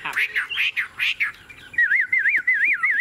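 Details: Tame caged Chinese hwamei, said to be at ease while its cage is shaken, gives a few harsh squawky notes, then a run of rapid wavering whistled trills.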